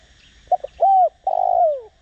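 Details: Spotted dove kept as a decoy to trigger cooing, with a Đồng Rặc style voice: two short low notes, a smooth arched coo, then a long, slightly pulsing coo falling in pitch at the end. Faint high chirps in the background.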